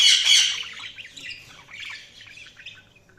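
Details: Budgerigars chirping: a dense, scratchy chatter of high warbling notes, loudest at the start, then fading into softer twittering over a faint low hum.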